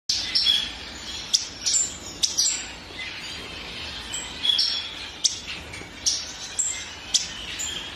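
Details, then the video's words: Violet-eared waxbill giving thin, very high chirps and short tseep notes at an irregular pace, about a dozen over several seconds, with faint background hiss. "Violet-eared waxbill"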